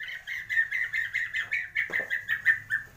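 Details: White-rumped shama of the Borneo Gembung type from Kalimantan, Indonesia, singing swiftlet, sparrow and lovebird imitations: a rapid, even string of about a dozen buzzy chirps on one pitch.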